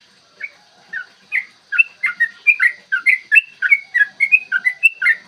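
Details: Yellow-vented bulbul in energetic long 'ropel' fighting song, used as a lure to make other bulbuls sing and get agitated; clear morning recording. Bubbly, liquid whistled notes rise and fall in quick two- and three-note phrases, growing denser and louder toward the end.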